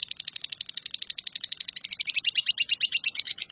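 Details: Lovebird delivering a 'nyambung kuntilanak' continuous song, meant as training audio for shrikes: a quick, rhythmic chatter of piercing notes that grows louder and climbs a touch higher in its second half.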